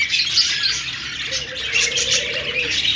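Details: Happy budgies chirping together: a steady wash of high, buzzy twitters and squeaks from several birds, with a long low wavering tone entering halfway through and continuing to the end.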